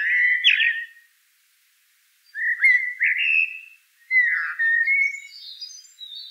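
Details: Fluted, melodious song of a common blackbird: a rich warbled phrase, a silent gap, then two more rolling whistled phrases with soft high twitters trailing off. Nothing else is audible.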